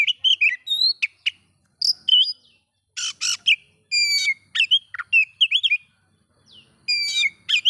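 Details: Oriental magpie-robin song aimed at provoking other magpie-robins: dense varied whistling with upswept and wavering notes, harsh buzzy bursts and quick repeated phrases separated by short pauses.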